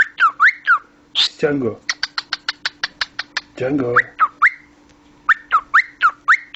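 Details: Talking pet cockatiel mixing rising and falling whistled chirps with a fast run of sharp clicks. Two lower, voice-like bursts interrupt the bird's sounds.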